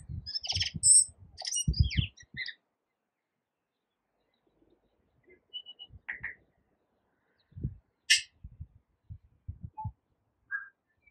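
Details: A tui in New Zealand, among yellow-blossomed kōwhai trees, sings a jumbled phrase of high chimes and squeaks mixed with low clicks and knocks, then adds scattered single notes after a pause.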